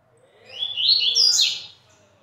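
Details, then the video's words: At 17:15 in the afternoon, a pet double-collared seedeater gives one quick, high phrase of about a second of tumbling, warbled sweeps over faint low room noise; Double-collared seedeater. "olha o pedrada ai"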